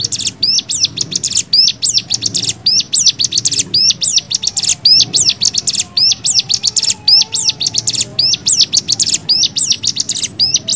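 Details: Nembak-style cigun song meant for tutoring other birds: a steady stream of short, high, hooked whistles mixed with buzzy, rattling bursts, running about one phrase a second without pause.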